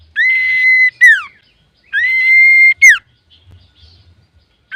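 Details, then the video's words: Male common iora singing vigorously as a tutor and lure recording: two phrases, each a long flat high whistle followed by a quick descending note, about one second apart, then quiet. "SUARA BURUNG CIPOH SIRTU GACOR COCOK UNTUK PANCINGAN"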